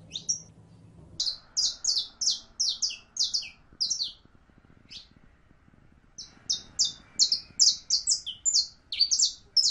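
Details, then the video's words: Saffron finch, known locally as canario criollo, singing: bright high chirped notes in quick bursts, a pause of nearly two seconds, then a renewed rapid series of sharp, slightly descending tweets. "CANTO DE CANARIO CRIOLLO CANTANDO"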